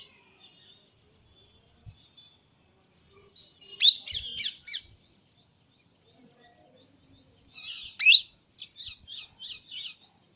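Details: Baby Indian parrot calling in two bursts of rapid harsh chirps, each opening with a loud screech and trailing into a short chattering series, with a faint steady whistle in the background.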